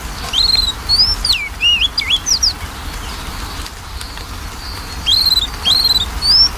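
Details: Magpie-robin song used to coax a quiet bird into singing: loud varied whistles with sharp swoops and downward slurs at the start, a pause, then another burst of bright upslurred notes.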